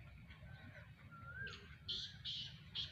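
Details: Black francolin, described as a Sindhi bird: a faint rising whistle, then three harsh, buzzy bursts spaced about half a second apart over low rumbling background noise.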